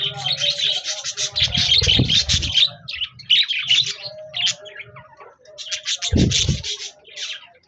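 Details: Budgies chattering and singing on 26 January 2024: bursts of fast high twittering, a brief lull, then another burst, with two deep thuds among the chirps.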